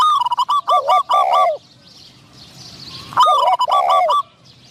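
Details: Caged decoy spotted dove calling to draw in wild doves for trapping. Two loud bursts of quick, hollow coos, each a stutter of short notes followed by a longer drawn-out coo, separated by a quiet pause.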